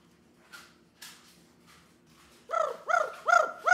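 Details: Pet Amazon parrot left alone indoors, crying because it gets no attention: a run of harsh, arching, harmonic calls repeated about every 0.4 seconds after a quiet start with faint soft sounds.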